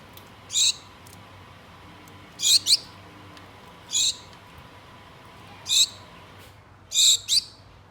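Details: Two pet Gouldian finches kept indoors, calling to a mate: short, very high, slightly buzzy notes, some doubled, repeated every one to two seconds, five bursts against faint steady room hum.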